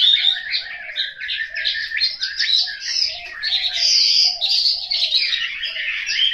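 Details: Chinese hwamei kept in a cage at home in Hanoi, Vietnam, singing fast stuttering warbled phrases with bright high whistles, loud song pulsing in short bursts.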